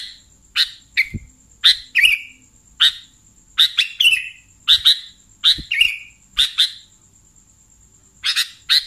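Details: Sooty-headed bulbul lure calls for attracting bulbuls: sharp raspy chips in irregular bursts of one to three, some trailing into short downslurred notes, a steady high hum underneath.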